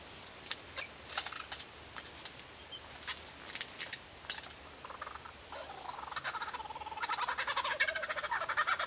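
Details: A lyrebird mimics kookaburras and laser guns: sharp clicks and zapping bursts give way to loud, rolling, kookaburra-like laughing chatter in the last two seconds.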